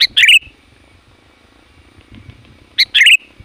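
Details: Sooty-headed bulbul, loud and persistent, for luring wild birds: a bubbly two-part phrase opens, a pause of over two seconds follows, then the same chirp-and-warble phrase repeats.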